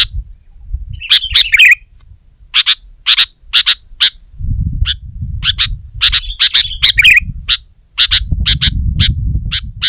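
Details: Sooty-headed bulbul singing loudly to press a rival: sharp, short high chirps in quick bursts, with two brief warbled phrases near the start and middle, over a low rumbling background.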